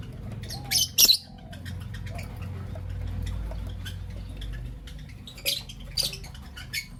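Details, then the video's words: Creamino and Lutino Opaline lovebirds in the morning: two pairs of sharp, harsh high chirps about five seconds apart over a steady low hum, with faint ticking clicks between them. "Lovebird Chirping Sounds"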